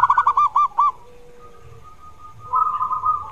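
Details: Caged zebra dove singing to coax a reluctant bird: a fast run of rounded, bubbling coos near the start, then softer drawn-out hums and a second rolling phrase at the end.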